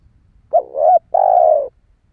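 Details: One spotted dove phrase for luring wild doves: a sharp short coo slides into a wavering note, then a long, smooth, slightly descending coo. Only a little low background noise.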